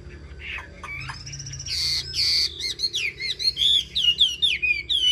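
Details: Chinese hwamei, a caged songbird in Vietnam said to sing in good style. Scratchy opening notes build into clear, ringing whistles that slide downward in a quick repeated series.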